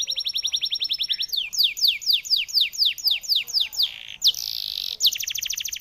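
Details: A singing canary delivers 'ngoceh dor dor' chatter: a fast trill gives way to slower, slurred downward sweeps, then a harsh buzzy burst and another rapid high trill.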